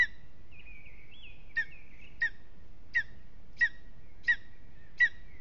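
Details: Lesser spotted eagle at a nest in Latvia on a restless evening: a series of short, clipped high yelping notes repeated roughly every two-thirds of a second, preceded by a thin wavering whistle, over steady low background hiss.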